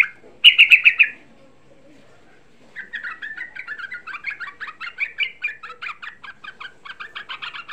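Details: Young sooty-headed bulbul, a lure recording meant to rouse other bulbuls into singing: a loud burst of notes near the start, a pause, then a long run of quick, chattering, slurred notes at a rapid, uneven pace.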